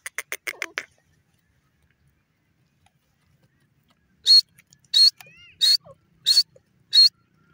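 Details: Irani teetar francolin, the white or gora type, calling: a brief burst of rapid dry clicks, a pause, then loud high piercing notes repeated about every 0.7 seconds over a quiet background.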